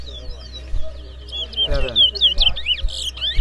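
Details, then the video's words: ['Towa Towa bird singing in a whistling competition between two contenders: quick, high whistled notes and slurred rising and falling phrases, growing denser and louder in the second half, over a low steady hum with occasional thumps.'] "Bella Towa Towa Bird Whistling Competition! Who Whistles Best?"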